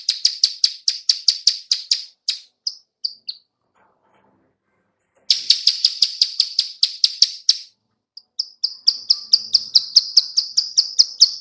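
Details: Bar-winged prinia female producing lure clicks: fast runs of sharp, high ticking notes that slow to a few spaced clicks, a silent gap of about two seconds, then a renewed rapid series.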